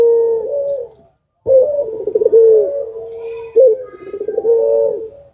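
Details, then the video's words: Puter pelung type Barbary dove, a lure bird said to make other doves answer, giving long low coos that drop at the end, then a burst of rapid rolling trilled coos after a short pause, repeated twice. "puter pelung pemancing yang ulung dijamin ikut nyaut peung yg lain"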